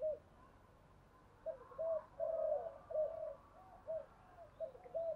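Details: Decoy spotted dove urging a wild rival to fight. Quiet, faint coos repeat in short bursts against steady background hiss.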